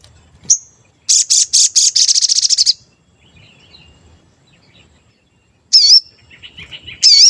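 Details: Sooty-headed bulbul lure song, described as frequent cuit cuit notes for provoking a bird into singing: a sharp whistle, a rapid series of buzzy stuttered chirps, a pause, then wavering harmonic notes with soft chatter.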